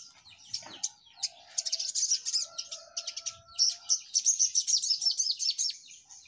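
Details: Several little spiderhunters singing busily: a rapid, slightly irregular chatter of very high, sharp notes, with a faint steady lower whistle from another bird in the background.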